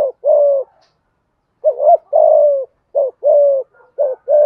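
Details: Spotted dove cooing in the 'giọng thổ' and 'giọng hạp bổi' styles. Soft, low phrases pair a brief upturned note with a longer level coo, repeated several times after a pause.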